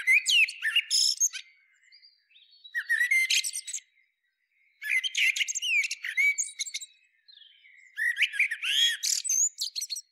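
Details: A Common Blackbird repeats varied song phrases about every two to three seconds, mixing mellow flute-like whistles with rapid, high, scratchy chatter; four bursts in all.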